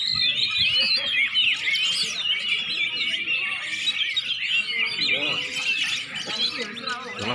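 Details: Greater green leafbird singing in warm-up before a contest, a busy continuous stream of chattering, whistled and twittering notes with quick slurs, people talking faintly in the background.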